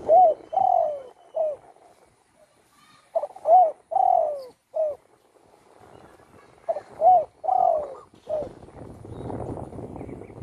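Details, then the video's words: Spotted dove kept at home, once shot with its wing broken and now singing a lot: three repeated phrases of soft low coos, each with a longer arched central note, about every three seconds, then rustling noise. "burung tekukur,yg dulu di tembak orang kena sayapnya patah,kini sudah gacor di Rumah"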